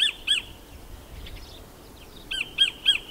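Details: Sacred kingfisher known as kotare in New Zealand: two harsh notes, a pause with faint chatter, then three more loud, regularly repeated rasping notes.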